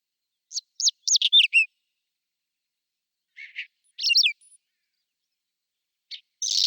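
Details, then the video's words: Spring Whinchat song, April 2020, on a Nikon Coolpix P1000: a quick run of high chirps ending on a lower buzzy note, then scattered short scratchy phrases with pauses between them. "Il canto degli uccelli del bosco: Stiaccino (Saxicola rubetra)"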